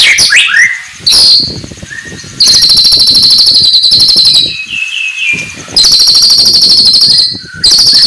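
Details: Oriental magpie-robin (murai batu) in the morning; high, thin buzzy trills repeated in long bursts, with short whistled notes between them.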